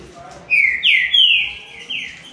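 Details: Rufous-bellied thrush in a three-bird singing contest gives a short phrase of four loud, clear, falling whistled slurs in quick succession, the middle ones longest, over a quiet background.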